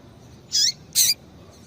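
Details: Female double-collared seedeater calling to warm up males, giving two brief high slurred notes about half a second apart in near silence.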